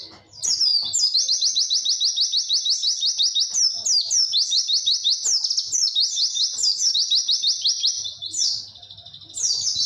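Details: White-eye giving a long, clear witwit song: a continuous, high, rapid chattering of clear chirps in long sustained runs, which pause briefly near the end and then resume.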